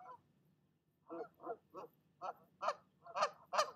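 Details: Mother goose defending her nest from another goose; after a short pause, a burst of loud, harsh, nasal honks that grows steadily louder and faster, about seven calls in under three seconds.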